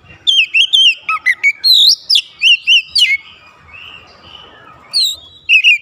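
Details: Oriental magpie-robin (kacer) singing to challenge a rival, the rival answering; loud whistled notes in a fast burst of varied upslurs and downslurs, then a softer warbling stretch and a final pair of sharp whistles.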